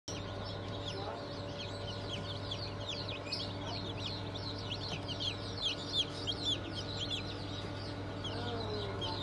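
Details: Newly hatched chicks of Cream Legbar, Sussex, Sultan and Phoenix breeds, hatched 20 June 2023: many overlapping high peeping calls throughout, over a steady low machine hum.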